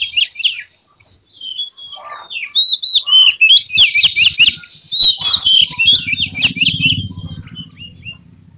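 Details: Oriental magpie-robin showing emotion with tail spread, pouring out its full range of fills: fast rolling trills of repeated notes, sweet whistles and chattery bursts, with a low humming rumble in the background later.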